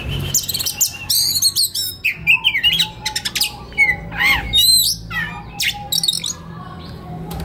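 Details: White-rumped shama singing relaxedly as tutor material for young wild-caught birds: bursts of harsh buzzy chatter alternating with clear arched whistles and quick rising-falling notes, low hum underneath.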